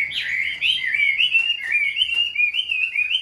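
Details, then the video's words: Caged, very tame Chinese hwamei singing a clean, continuous warble of wavering whistled notes, smoothly rising and falling, loud and clear against a quiet background. "Chim thuần sách tay hót, đấu tốt"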